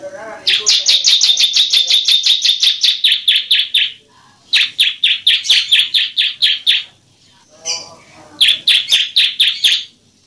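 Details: Bar-winged prinia song used as a tutor and lure to provoke reluctant prinias into singing: three bursts of fast, high, chipping notes, about seven a second, each run lasting two to three seconds with short pauses between.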